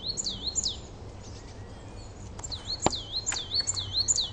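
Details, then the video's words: A garden coal tit sings a varied version of its song: high, dipping, swinging notes in two bursts, the second longer, with a few sharp clicks between. "Coal Tit Song"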